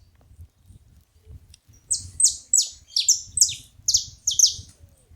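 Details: Saffron finch singing at a feeding spot: after two quiet seconds, a run of bright, high, descending chirps, roughly eight notes in three seconds, over a faint low background rumble.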